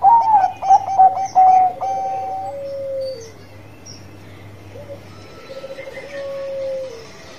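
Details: Bangkok-type zebra dove singing actively: a few rapid stuttered coo notes, then long, mellow, level trilled coos that slide downward at their ends, with a faint low hum behind.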